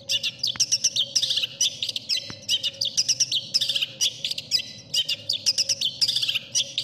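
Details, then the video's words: Long-tailed shrike song in the masteran style prized by contest judges: a busy stream of high, sharp chirps, short whistles and scratchy notes in quick irregular bursts, with a faint steady hum underneath. "suara burung cendet paling di cari juri"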